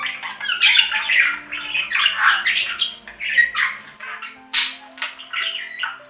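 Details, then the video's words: Budgerigar warbling for lonely pet budgies: dense scratchy chatter with quick chirps and harsh squawks, a sharp high squeal toward the end, and a faint steady hum in the background. "Budgie Sounds for Lonely Budgies"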